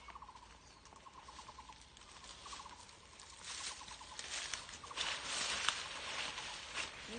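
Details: Taiwan barbet in a tea garden, calling all day, gives hollow, wooden 'tok-tok-tok' notes in short rapid runs, pausing between bursts, over a steady hiss of insects or background noise.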